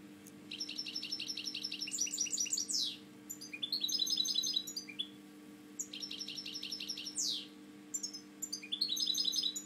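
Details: Captive European goldfinch with a slightly drooping wing, a breeding bird that has fathered mixed hybrids and goldfinches, sings indoors: four bursts of fast, high, buzzy trills and twittering notes, with brief pauses and a steady low hum behind.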